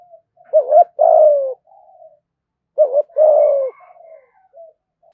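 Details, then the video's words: Caged lure spotted dove giving thúc gù cooing in a deep thổ voice: two phrases, each a quick double hoot followed by a long, gently falling coo, with soft trailing notes between. "cu gáy thúc gù giọng thổ đủ bài giọng hay"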